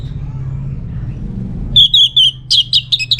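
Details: Orange-headed thrush, North Bali recording used as a lure for other birds to reply: a steady series of rich whistled notes, then a faster burst of sharp, varied chirps and trills, with low traffic-like rumble beforehand.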